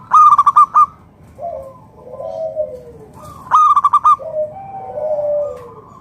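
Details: A local Indonesian zebra dove sings as a lure for other doves. Two rapid, rhythmic strings of bubbling coos are each followed by a long, softer, lower cooing slur that falls at its end.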